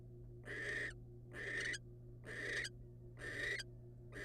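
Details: Wild barn owl pair as the male delivers a rodent to the female; rasping, hissy screeches of about half a second each, given roughly once a second over a constant low electrical hum.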